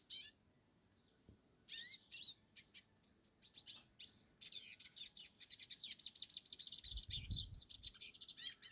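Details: Wild hooded siskin singing freely on a farm. A brief pause, then rapid high twitters and sweeping chirps build into a fast, jumbled warbling run, with a short low thump near the end.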